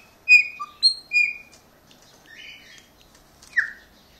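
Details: Pet chopi blackbird, after bathing and urged by its owner to sing, gives a few loud, clear whistled notes with sharp down-slurs, then softer warbled phrases and a final bright descending whistle, seemingly recognising its owner.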